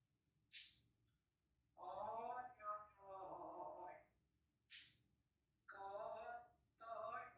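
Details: Oscar, an African grey parrot, imitates a human voice singing songs such as El Rey, Cielito Lindo and Para Siempre: voice-like phrases, some held and wavering, broken by sharp hissy 's' sounds and short pauses.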